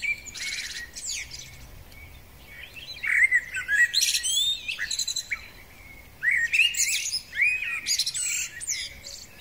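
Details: Spring song of a male common blackbird: three phrases spaced a few seconds apart. Each mixes melodious, slurred whistles with squeaky, high, rapid twittering flourishes, and there is quiet background between phrases.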